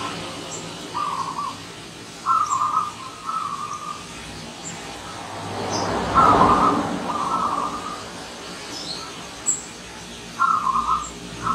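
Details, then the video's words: A visiting wild zebra dove repeats short rolling, quavering coos in bursts, broken by a loud passing vehicle midway, with faint chirps of other birds overhead. "Kedatangan Tamu Perkutut Liar"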